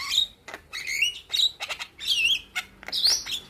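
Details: Young Javan myna singing vigorously with a full, varied repertoire, meant to make other mynas answer: short whistled notes, some wavering or rising, broken by clicks and brief pauses, each about half a second apart.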